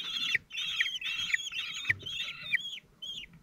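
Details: Common kestrel male feeding four 17-day-old chicks at the Théding nest on 27 June 2023. Shrill, downward-wavering calls come in a rapid series, then thin out, with a soft thud in the middle.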